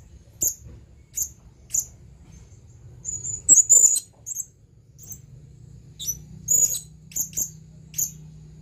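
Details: Male blue-crowned hanging parrot calling to a female, giving thin, piercing high chips at roughly half-second to one-second intervals, plus a brief cluster of longer whistled notes, over a faint low hum.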